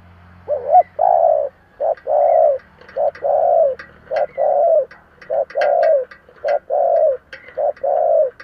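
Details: Long run of cooing from a decoy spotted dove in the 'giọng thổ' voice, luring wild birds: paired short and drawn-out low notes repeated steadily for eight seconds, with faint clicks and taps throughout.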